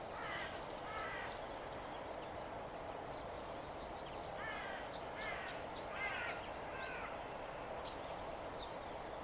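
Eurasian wren singing a fast, high, tumbling string of trills and sharp notes, with a steady rushing background noise.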